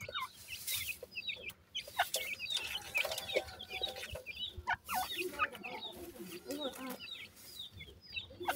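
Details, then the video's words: Grey francolin chicks, locally called gora teetar, while feeding: many short high chirps and peeps scattered throughout, with lower soft clucking notes, clicking noises and a little human speech in the background. "baby grey partridge says,gora teetar cheks ki feeding"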